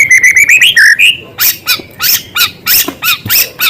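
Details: White-rumped shama in lively song that includes small-bird filler material. A quick series of rising whistles is followed by a rapid, rhythmic train of harsh, buzzy chips.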